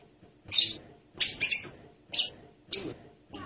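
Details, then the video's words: Hanging parrot called serindit, with five separate shrill, high-pitched squeaks spaced roughly half a second apart, some doubled. "suara burung serindit mp3 (Loriculus)"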